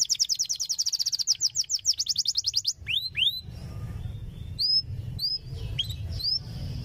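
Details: Canary song used as a training tutor for young canaries: it opens with a rapid, rolling trill of crisp repeated notes for almost three seconds, then breaks into separate upswept chirps and short whistles over a low hum.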